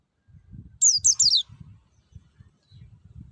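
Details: Forest white-eye lure song: one rapid burst of three high whistled notes each falling in pitch, over soft low rhythmic rumbling.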